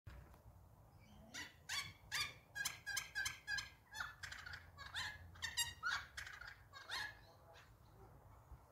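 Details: Several noisy friarbirds in a yard: one gives a loud, harsh, cackling chatter of about fifteen rapid, raucous notes over roughly six seconds, with a faint low rumble behind.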